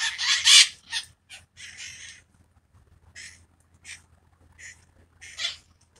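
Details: Wild parakeets in the subtropical hills of San Francisco, calling and fluttering during a mating ritual: a loud burst of harsh, raspy screeches, then shorter squawks spaced roughly every half second to second over a low steady hum.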